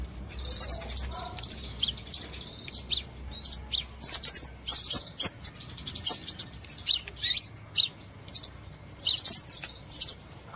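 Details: Crimson sunbird lure call used for trapping birds: bursts of very high, sharp chirps and short rattling trills repeated about every half second throughout, with quiet pauses between bursts.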